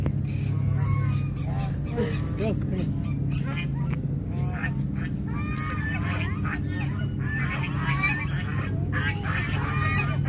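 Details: Many hungry geese at Mueller Lake park, Austin, Texas, pressing toward people, keep up a dense chorus of overlapping honks and short gabbling calls over a steady low hum.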